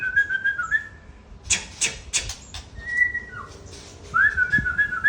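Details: White-rumped shama of the Aceh type giving clear whistled notes, some level and some dropping, broken by a series of sharp clicking knocks in the middle.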